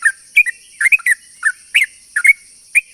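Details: Sooty-headed bulbul singing as a lure for other bulbuls: bright, slurred whistled notes, some paired, at uneven intervals of about half a second, with a continuous high drone in the background.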